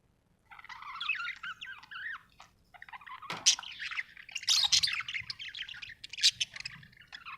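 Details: Budgerigar warbling happily: a soft chattering run, a pause, then louder bright chirps and sharp squeaks tumbling over each other, with a faint low rumble beneath.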